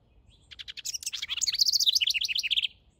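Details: Song of a male house wren building a nest in a backyard: soft chips speed up into a loud, hurried, bubbling warble of high squeaky notes that rise and fall for nearly two seconds.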